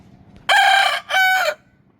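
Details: A farmed Queshan chicken rooster gives a loud, brassy two-part crow: a strained half-second opening note, a brief break, then a slightly longer held note that drops away at the end.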